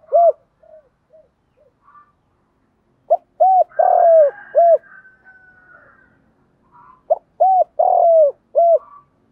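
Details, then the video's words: Spotted dove kept as a lure for wild doves in Vietnam. Soft low hoots open the recording, then two full phrases follow, each with a brief lead note, a rounded coo, an extended rough coo falling in pitch and a short last coo. "tiếng chim cu mồi thúc và gáy gọi bổi nhanh nổi nhất"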